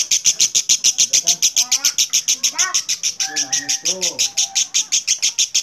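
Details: Lovebird giving a clear ngekek, a long unbroken chattering song used as a lure to set other lovebirds singing; rapid high, rasping notes at about three per second run evenly throughout, with a few faint lower tonal notes underneath.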